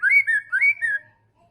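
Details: White-rumped shama (murai batu) in full song: two quick clear whistled phrases, each rising then falling, followed by silence.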